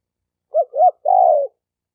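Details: Male spotted dove calling to attract females: a short low coo, a second rising-falling coo, then a longer drawn-out coo, all in one quick phrase against silence.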